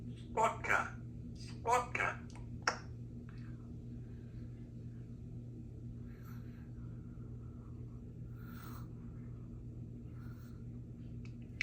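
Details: A 3-year-old female Congo African grey parrot gives three or four quick, speech-like bursts in the first three seconds, then only a low indoor hum and one soft sound.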